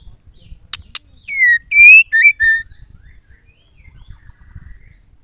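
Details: Female white-rumped shama song for stimulating males to sing: paired clicks, then a clear whistled phrase of a falling note, a long level note and two short notes, each with ringing overtones. Soft low thumps in the background.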